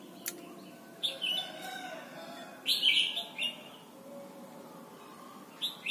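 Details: Thai Red-whiskered bulbul song used to train young birds: brief clear whistled phrases at intervals, with one loud warbled phrase near the middle and a short note at the end, over quiet background hiss.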